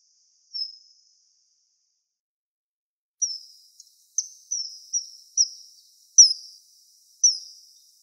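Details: Common kingfisher at a river in Wittlich, 2017: thin, piercing high whistles, one lone note, then after a pause a run of seven short, slightly falling notes about half a second apart, against a quiet background.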